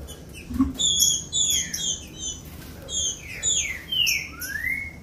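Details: Green-winged saltator song used to warm up and excite captive birds into singing: loud slurred whistles sliding downward, then a long rising note, over scattered high chirps and soft low thumps.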